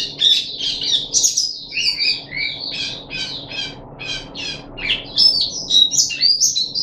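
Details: Caged puff-backed bulbul recorded 14 July 2021, third day of deworming: squeaky whistles and twittering give way to a series of buzzy, clipped notes, then bright ringing chirps return. Quiet indoor hum beneath.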